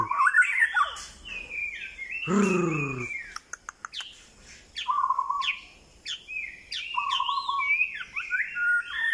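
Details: White-rumped shama singing; varied whistled phrases, some rising and falling, others flat and repeated, interrupted early by a loud harsh squawk, with background noise throughout.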